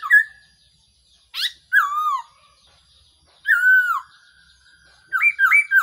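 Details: Black-throated laughingthrush calling as a trapping decoy: a short whistle, a sharp upswept note, then drawn-out downslurred whistles spaced well apart, ending in a quick trio of bouncing notes.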